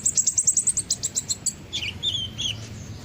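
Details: High-pitched kolibri ninja sunbird lure song: a rapid stuttering run of sharp ticking notes for over a second, followed by lower twittering, slurred notes.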